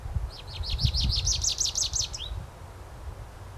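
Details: A male American Goldfinch gives a quick run of about a dozen high, bright twittering notes ending in a falling slur, over a low background rumble.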